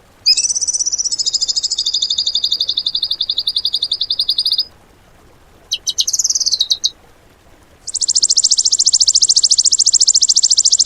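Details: Bird song in the tembakan style, used as training material for cage birds: a long, high, rapid trill for four seconds, a brief chattering burst, then a very fast, dense, shrill buzzing trill to the end.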